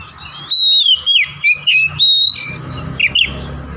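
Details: Oriental magpie-robin lure song for coaxing kacer into singing: a chain of sweet whistled notes, sliding and looping, with short breaks, then two quick high flicks near the end.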